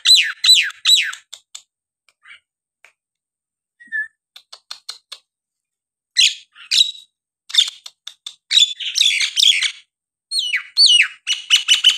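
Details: Nias hill myna song for prompting reluctant birds to sing: bursts of rapid sharp whistles and harsh notes, broken by short pauses and soft clicks, the phrases growing fuller toward the end.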